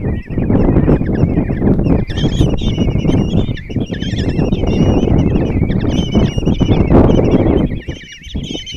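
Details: Five common kestrel chicks begging as the mother brings breakfast and feeds them at a nest box in Tiszalök, Hungary, June 26; dense overlapping wavering trilled shrieks over heavy low rustling and thumping from movement in the box.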